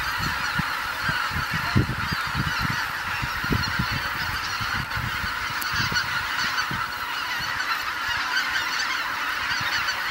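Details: Large gathering of geese at Kabukuri-numa marsh, Japan, at dusk after returning for the night. Continuous layered honking blends into a dense roar, with occasional low knocks.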